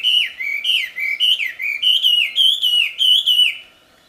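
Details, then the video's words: Melodious, loud song of a wambi in the wild: a string of about ten clear whistled phrases, each dipping and rising, delivered rapidly before falling silent. "Suara merdu burung wambi di alam liar ternyata sangat merdu dan keras"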